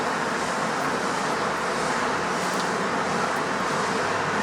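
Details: Loud constant roadway traffic roar fills the clip, with no woodpecker or other animal sounds.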